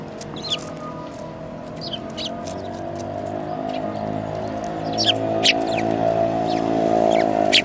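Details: Sparrows, a group including a yellow-beaked one, recorded 5 February 2018: short, sharp chirps scattered across the clip over a steady low droning hum that swells slightly toward the end.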